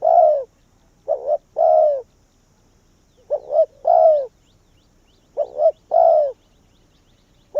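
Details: Spotted dove working as a decoy for wild doves: a long croo opens, then three more phrases, each a brief doubled coo and an extended downward croo, spaced about two seconds apart.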